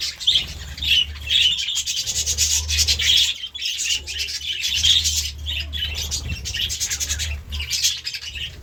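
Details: Morning chirping by budgerigars, rasping rapid clicks and warbled high notes with occasional whistled tones, steady throughout above a low hum.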